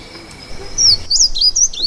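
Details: Short burst of high, quick slurred whistles from a Slate-blue seedeater, several thin notes in under a second over a low background hum.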